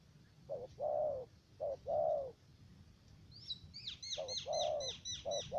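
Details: Spotted dove decoy for trapping in U Minh, Cà Mau, Vietnam, cooing in low short-long phrases while another bird adds a quick series of high descending chirps in the second half.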